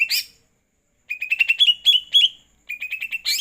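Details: After a night bath, a greater green leafbird gives a loud rising note, a pause, then a jumbled quick series of chips and short whistles, ending with another run of rapid chips and a bright call.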